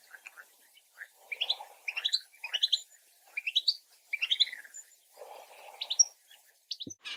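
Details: Marsh warbler (Acrocephalus palustris) song: a fast, varied run of high chirps, trills and twittering phrases, with brief lower buzzy notes in between and short pauses.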